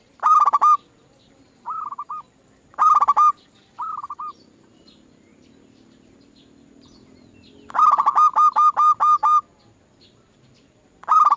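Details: Zebra dove song as a lure for other doves: loud rolling bursts alternate with softer short phrases, then a long loud run of about nine evenly spaced hooked coos.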